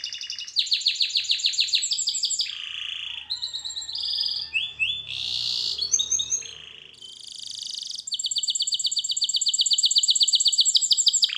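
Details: Canary singing in a training recording, stringing loud fast trills, lower rolling tours, short whistled phrases and harsh buzzy notes together before closing with a long even high rattle.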